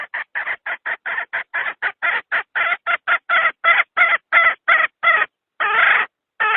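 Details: Decoy hen used to lure wild fowl into traps, giving a long, quick series of about twenty-five short raspy clucks. The clucks grow louder midway, then a longer harsh squawk follows a pause.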